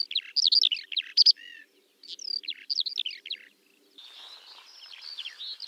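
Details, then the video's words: Eurasian skylark song, somewhat fainter and more distant, a run of quick high chirps with brief pauses, fading into a softer, blurred warble. "Kiurun / Leivon laulua | Skylark Singing"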